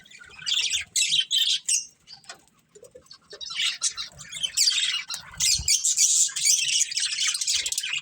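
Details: A breeding pair of budgerigars chirping in uneven bursts: short scratchy chatter, a quiet gap with faint clicks, then a long run of dense high warbling and squawks.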